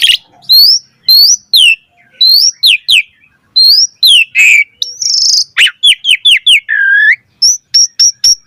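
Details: Asian pied starling song played to train other starlings: sharply rising and falling whistles in short groups, a buzzy rasp, a low drawn-out slur, then a quick run of high clipped notes.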